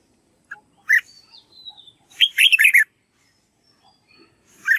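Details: Red-whiskered bulbul practising its song as a model for young birds to copy: an isolated sharp note, faint thin whistles, then a fast bubbling phrase of several warbled syllables.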